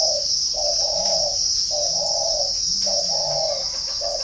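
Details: {'caption': 'Northern Vietnamese spotted dove garden, Ba Vì, Hanoi: a mellow repeated coo, notes paired and grouped in short phrases, faint lower murmurs beneath, loud steady high-pitched insect buzz behind.'}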